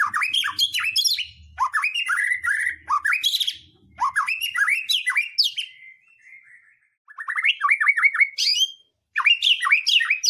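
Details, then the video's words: White-rumped shama song used to provoke other birds into singing: dense bursts of swooping whistles and harsh chatter, a quieter soft passage, then a fast run of repeated notes and more loud phrases. "Pancingan murai batu mendongkrak keluar isian"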